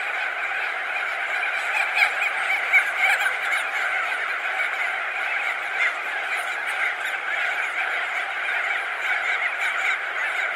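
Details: Thousands of crested auklets perched and wheeling overhead fill the air with an unbroken, dense chorus of honking, squawking calls, individual notes occasionally poking out above the steady mass of sound.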